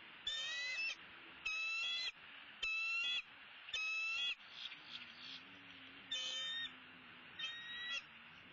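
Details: Bald eagles at a nest in southwest Florida during an early-morning feeding at sunrise, 6 February 2016: a series of sharp, harmonic, chattering calls, each about half a second, repeated roughly every second, over a low steady hum.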